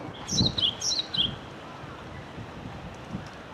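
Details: Wild Java sparrow giving a quick run of high, sharp chirps, several short descending notes in close succession over the first second and a half, then quiet with low wind rumble.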